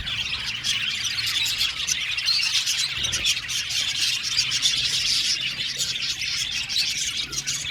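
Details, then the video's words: A budgerigar colony in an aviary, a loud, unbroken wall of high chattering chirps and warbled trills holding steady throughout. "Beautiful budgies singing sound | budgies chirping sound"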